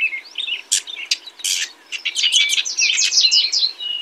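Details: House wren giving a quieter, chattering string of sharp high notes that speeds up into a dense, bubbly trill toward the end.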